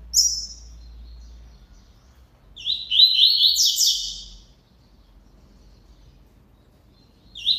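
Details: Singing double-collared seedeater: a brief high note opens, then a single fast phrase of buzzy, tumbling high notes in the middle, another note cut off at the end, over a faint low rumble.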